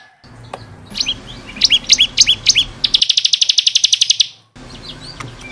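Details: Bar-winged prinia (ciblek kristal) in 'gacor' tutor song for caged birds: spaced, emphatic paired chirps speed into a dense run of rapid high notes, ending in an abrupt silent cut before quieter chirping.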